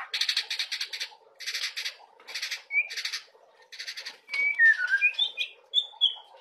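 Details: White-rumped shama song for coaxing young birds to sing: four harsh, buzzy rasping bursts, then a run of sweet slurred whistles and warbled notes.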